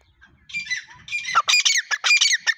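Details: Grey francolin, known locally as white teetar, outdoors: a faint low rumble at first, then loud, harsh squawking notes burst in and repeat rapidly in an uneven run.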